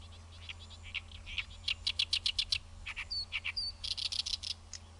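Great reed warbler song: harsh, grating chattering notes repeated rapidly in uneven bursts, with a few higher whistled notes mixed in; low rumble underneath.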